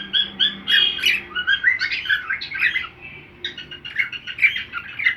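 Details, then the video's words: Cockatiel picking up a song from a second cockatiel. Dense run of squeaky, warbling whistles and chirps with brief buzzy notes and a short lull midway, over a constant low background hum. "canto ao som de outra calopsita"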